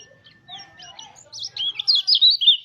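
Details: Lure song of a mountain white-eye, meant to get other white-eyes singing: quiet mixed chirps and a low murmur at first, then a loud burst of rapid high twittering warbles.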